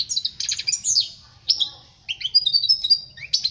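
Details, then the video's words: European goldfinch song intended to teach young birds: bright tinkling twitter, buzzy chattering notes and a few sliding whistles, then a quick run of high rippling notes. "Chant chardonneret pour les jeuns لتعليم صغار طائر الحسون"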